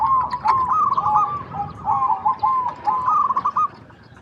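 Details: Local zebra dove singing, recorded as a lure to set other zebra doves calling: a steady run of quick, rolling trilled coos in short linked phrases, fading out near the end.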